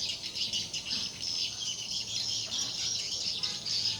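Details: Swiftlets at a four-storey, 5 x 10 m swiftlet house that has been running for four months; dense, high, rattling twitter from many birds, continuous and shimmering, with no pauses.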